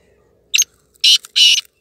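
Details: Hand-tamed pet black francolin (kala teetar) calling: one short harsh note, then two longer loud grating, buzzy bursts in quick succession, in an otherwise quiet setting.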